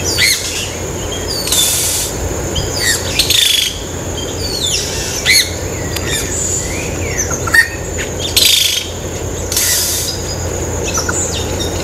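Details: Yellow-rumped caciques at Ilha de Comandatuba, Bahia, Brazil, on 12 October 2013 give a busy mix of liquid whistles, sharp chirps and harsh rasping bursts in quick succession, over a steady background hum.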